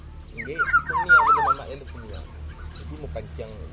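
A black-naped oriole gives a short burst of loud, fluty, wavering whistles lasting about a second, over a steady low hum with faint murmuring.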